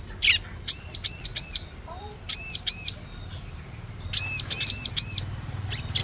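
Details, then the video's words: Bar-winged prinia call, a lure sound for forest bird catching: bursts of two or three high, arched, ringing notes separated by pauses of over a second. "Suara Pikat Burung Ciblek Cocok Untuk Memikat Di Hutan"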